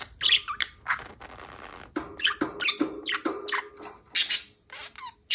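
A budgerigar chatters in quick, scratchy chirps and squawks, with short bright warbled notes between.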